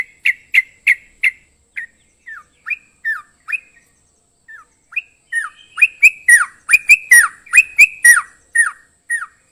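A Yellow-vented Bulbul gives bubbly, gurgling chirps, short notes dropping in pitch, repeated about once a second, growing busier and louder toward the end.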